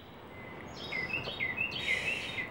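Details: A Carolina wren (Thryothorus ludovicianus) from a family nesting on a balcony in summer 2013, where the mother was incubating four eggs, gives a quick run of thin, high chirps, about six in a second and a half, over a steady background hiss.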